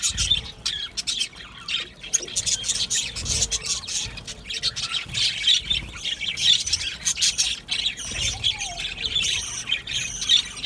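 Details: Colony of budgerigars in an aviary keeps up a long, lively stream of high chirps, squawks and warbles from many birds, with sharp whistled notes recurring every second or so.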